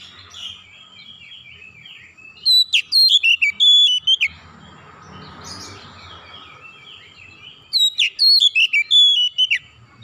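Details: Calling Oriental magpie-robin, locally kacer, delivering two strong bursts of sweet whistles and quick upward and downward slurs, roughly four seconds apart, with a faint hiss of noise between them.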